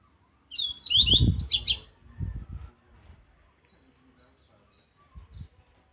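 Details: Aggressive Viviti Zel Zel song of a caged rusty-collared seedeater for training: one fast burst of high whistled and buzzy slurs lasting about a second, with low thumping handling noises during and after.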